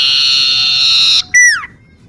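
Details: Common iora singing in a garden near a home: a long, steady, buzzy whistle held over a second, a short pause, then a sharp downward-sliding note.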